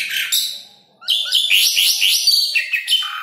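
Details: Asian pied starling (jalak suren), a training recording for caged starlings that are reluctant to sing or for luring birds: harsh bright notes, a brief pause, then a quick run of slurred, rising, chattering notes.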